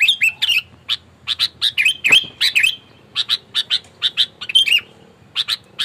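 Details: Aggressive sooty-headed bulbul, kept as a lure to rile rival birds, mixes bright downslurred whistles with separated sharp chips spaced roughly every quarter second.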